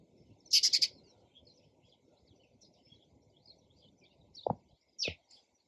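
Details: Sparrow uttering a quick run of four or five bright chirps, then quiet background, a low knock and one more sharp chirp near the end.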